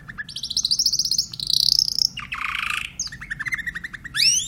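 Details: Song of a Timbrado canary: a low note, a long high rolling trill, a harsh buzzy segment, a lower pulsed tour, and a rising whistled sweep at the end, over a faint hum.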